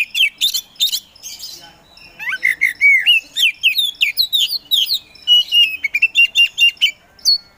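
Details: Oriental magpie-robin (kacer), a caged songbird described as a provocative, hard-singing bird that bursts into full song within seconds, delivering loud varied song: harsh buzzy notes, then slurred rising and falling whistles and rapid chattering phrases.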